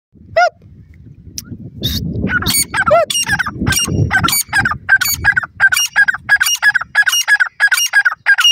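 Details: Grey francolin (teetar) calling: after a lone opening note, a rapid series of short, nasal, harmonic notes repeats about three times a second, over low rumbling background noise.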